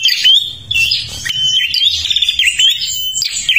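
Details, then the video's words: Bornean (Kalimantan) prinia in full song sings a fast, unbroken twitter of high, thin notes, with quick rising and falling trills and buzzy bursts, and no pauses. "perenjak kalimantan gacor"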